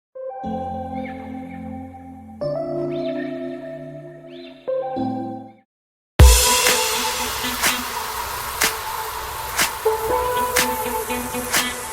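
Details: Soft sustained music tones give way to a dense, hissing background with scattered sharp ticks, and no clear animal voice.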